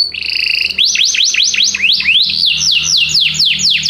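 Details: Canaries singing together after hearing music: a brief steady buzz followed by a run of fast repeated V-shaped sweeping chirps, about four per second.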